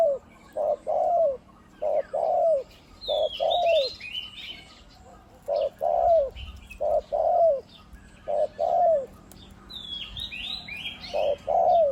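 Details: Decoy spotted dove, caged, described as having a big voice with one 'kuk' note and 'khu-ang' cooing almost all the time; steady run of short, deep descending coos grouped in twos and threes, roughly 47 per minute, with thin chirps of other birds above.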